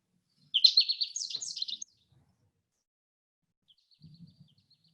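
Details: American goldfinch (Spinus tristis) at a tube feeder for niger seed sings one quick, high, twittering phrase of varied bright notes, rising partway through and lasting just over a second, followed by a faint low rumble.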